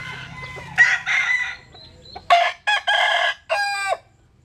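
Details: Sunbathing Jap Cuban bantam rooster crows: a hoarse two-part crow, then a pause and a longer crow broken into three loud bursts, with faint low background hum at first.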